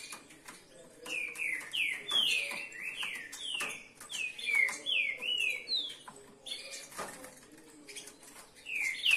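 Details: Several captive green-winged saltators (Saltator similis) sing rich, slurred whistles, many arching downward, in quick overlapping phrases, with sharp clicks and knocks in the background.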